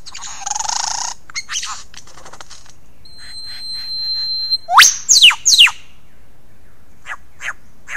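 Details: Male lyrebird's early morning performance on 15 July 2018 at Ben Ricketts Environmental Preserve, Australia, captured by a motion-sensing wildlife camera: rasping bursts, a steady high whistled tone, then three loud sweeping downslurred whistles and scattered clicks.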